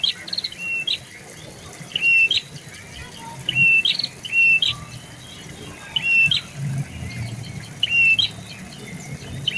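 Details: A prinia (Prenjak bawah/lumut), a bird of shrubs and low trees in gardens near houses that is kept as a song tutor, gives sharp, high chipping notes in bursts of two or three every second or two over a faint low rumble.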